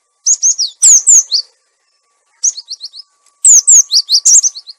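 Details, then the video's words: Cinereous tit lure recording, also used to tutor caged tits that have gone quiet: bright, high, clear phrases of quick falling whistles and repeated chips, in three bursts with short silences between them. "Suara pikat burung gelatik batu"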